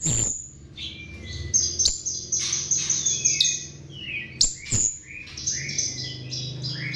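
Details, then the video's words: Chestnut-tailed starling song used as a lure, a loose mix of high thin squeaks, short downslurred whistles and occasional sharp clicks. "Pancingan Jalak RIO RIO"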